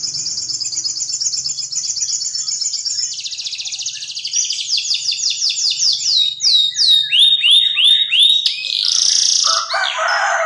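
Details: Canary song with elaborate varied phrasing: dense high trills, a run of falling swept notes repeated rapidly, upswept whistles and a closing buzzy burst, delivered continuously and loudly.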